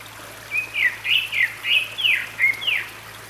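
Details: Grey-backed thrush singing beside a valley stream at Gyeryongsan Mountain, Republic of Korea, on 6 May 2022: a rhythmic series of about seven clear, slurred whistles, each roughly a third of a second apart, over running water.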